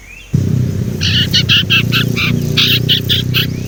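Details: A young Sumatran leafbird learning its whistle gives a run of short, bright high notes in quick succession over a loud, constant low rumble.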